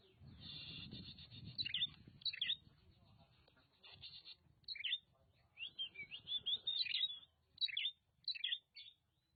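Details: Oriental magpie-robin (kacer) from Nagan Raya, Aceh, singing bright, varied whistled and warbled phrases in short bursts, some notes sliding up and down, separated by brief pauses; low rumbling background noise underneath, strongest at the start.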